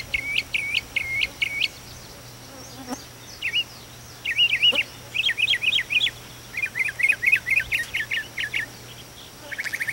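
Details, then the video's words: Mockingbird perched on a chimney at daybreak, heard down through the fireplace; varied phrases of repeated notes, sharp clipped chirps, then rapid trilled runs and wavering warbled bursts, each phrase repeated several times, over a faint hum. "Mockingbird Alarm clock!"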